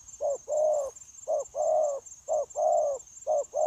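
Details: Newly caught wild spotted dove cooing without pause during trapping, January 2024: deep mellow two-part phrases, a short lead-in note and a longer rounded coo, repeating roughly every second, with a faint continuous high tone.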